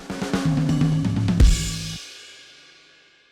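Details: A short drum-kit phrase with bass and snare hits ends on a crashing cymbal that fades out, with no animal sounds.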